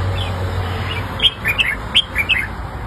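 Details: Red-whiskered bulbul singing, a recording meant to help young birds learn by copying. After a quiet start come short clear whistles, some rising and some falling, grouped in two quick bursts, with a low hum underneath.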